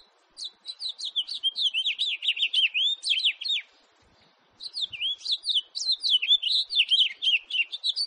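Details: Two long jumbled warbling phrases from a house finch, quick slurred high notes tumbling up and down, separated by a brief silence near the middle.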